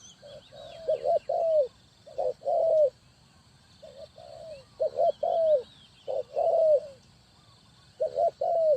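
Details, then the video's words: Spotted dove decoy from Ninh Thuận, Vietnam, calling for trapping: repeated low, mellow coos in short groups, each ending in a drawn-out falling note, separated by brief pauses, with faint distant chirping in the background. "Cu gáy Ninh Thuận"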